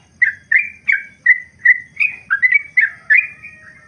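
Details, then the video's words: Trucukan (yellow-vented bulbul) with long ropel song meant as a tutor recording: sweet whistled notes spaced about every third of a second, each falling slightly, a quick double near the end, over low hum. "Masteran Trucukan Ropel panjang merdu"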